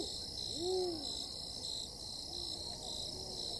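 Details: Spotted eagle-owls, two wild birds calling to each other near a camp in Tembe Elephant Park, KwaZulu-Natal, South Africa, July 2019: one soft, arched low hoot rising and falling, then a fainter distant reply, over a steady high-pitched background drone.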